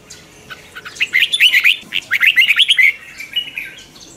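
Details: Twisting chè-style morning song of a red-whiskered bulbul, used to train and provoke wild-caught birds: a brief series of quick, clipped whistled notes in two close bursts, fading into softer notes.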